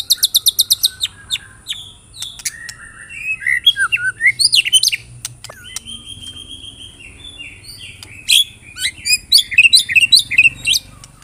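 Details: White-rumped shama lure song for prompting other shamas to sing: opens with a fast series of high metallic chips, then varied whistled phrases, a long steady whistle, and a closing burst of rapid, jumbled high notes.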